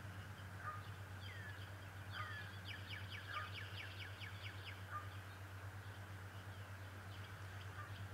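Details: Adult male bald eagle at Decorah, 11 March 2018, giving a fast chittering series of about ten sharp, high, downward-slurred notes, with a few single squeaky notes before and after over a steady low hum.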